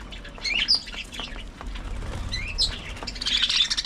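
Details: Budgerigars at early morning feeding time giving short rising chirps and scratchy notes, ending in a dense burst of high chatter.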